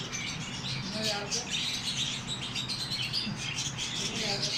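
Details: Flock of small Australian parrots calling: thick, unbroken high chatter of chirps and squeaky warbles, with a few faint lower tonal notes and a steady low hum underneath.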